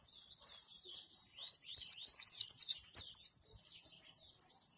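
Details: Training audio of white-eye (pleci) song in the roll tembak and wituwit styles, meant for birds to imitate: steady high background twittering with a loud central burst of sharp, zigzagging whistled notes.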